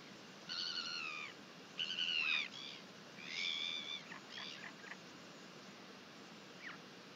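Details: Northern royal albatross in New Zealand, 31 July 2021, giving a run of nasal, mewing calls, some falling in pitch, about six in seven seconds, over a steady hiss of wind.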